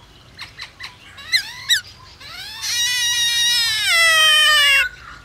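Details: White-browed laughingthrush song played to stimulate other birds to sing: a few short rising chirps and upward-curving whistled notes, then a long loud harsh rasping phrase with a slowly falling tone, lasting about two and a half seconds.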